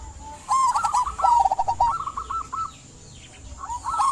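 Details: Local zebra dove in lively song to encourage silent doves to sing; one long rippling phrase of rapid soft coos falling slightly in pitch, then a pause and a new phrase starting.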